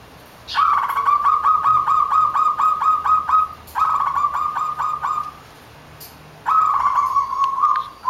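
A golden pheasant gives three bursts of rapid, evenly spaced nasal notes, each run lasting one to two seconds, over a quiet background hiss.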